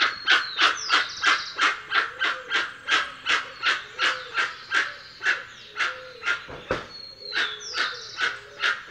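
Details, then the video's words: Song of the dusky-legged guan: a steady series of harsh, broad honking notes, about three per second, held for the whole stretch, with thin descending whistles from another bird in the background. "Canto do Jacuguaçu Penelope Obscura"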